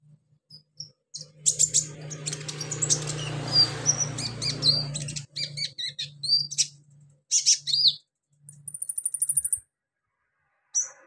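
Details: Captive konin sunbird on a track meant to bring the bird into full song: rapid high chirps, sharp ticks and a fast trilled run near the end, with a burst of broad rushing noise and low hum early on.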